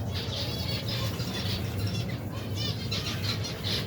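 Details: Colony of more than 120 pairs of finches with their young, kept birds eating in cold weather; overlapping bright chirps and twitters in short bursts over wing flutters and a steady low hum.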